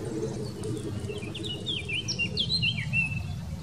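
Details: Eurasian blackcap singing in the Wittlich valley, Germany, 2018: a short run of clear, slurred whistled notes, rising and falling, over a noticeable low background drone.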